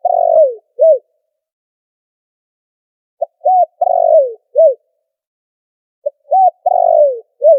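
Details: Spotted dove lure call used for trapping, background noise filtered out: low soft cooing phrases repeated about every three seconds, each a short note, a coo, a longer falling coo and a final short coo.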